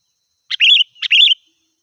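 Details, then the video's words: Sooty-headed bulbul singing vigorously, used as a lure for wild birds: two bright phrases, each a short sharp note then a quick warbled, rising-and-falling whistle, half a second apart, with no background sound. "Suara Burung Kutilang Gacor"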